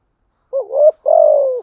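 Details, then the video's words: A single spotted dove phrase from a lure recording for wild doves: a wavering coo that climbs in pitch, a short pause, then a long, steady, low note that fades slightly at the end. Nothing else is heard. "Tiếng Cu Gáy Giọng Hạp BổI ĐỦ BÀI ( GÁY GỌI,THÚC,GÙ )"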